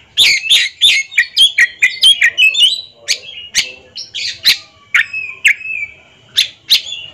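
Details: Oriental magpie-robins, caged and ringed, competing in a song duel: fast series of harsh chips and whistles at first, then spaced loud notes and drawn-out slurred whistles with longer silences between.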